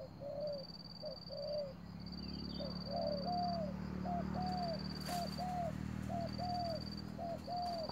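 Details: Spotted dove used as a decoy bird in a trap, calling rapidly: a run of short, low, arched cooing notes repeated about once a second, with a steady thin high whine and faint background hum.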